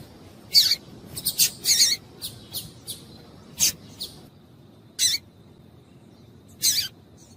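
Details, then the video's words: Female double-collared seedeater giving calls meant to prompt males into song: scattered short, high, thin chirps, a few doubled, separated by gaps of up to a second and a half, in otherwise quiet surroundings. "Piado de Fêmea de Coleiro para Esquentar Coleiro"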